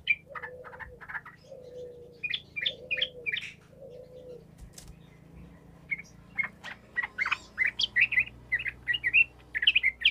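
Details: Sooty-headed bulbul gacor lure song to stir silent bulbuls into replying. Bubbly chirps mix with four low, drawn-out cooing sounds early on, then give way to a busier run of lively warbled notes.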